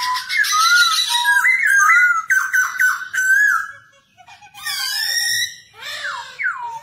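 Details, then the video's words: Black-throated laughingthrush performing song while dancing, a training recording for young birds: a string of fluty, wavering whistles, a short pause, then sweeping downslurred notes and a falling whistle. "KHƯỚU BẠC MÁ VỪA HÓT VỪA MÚA"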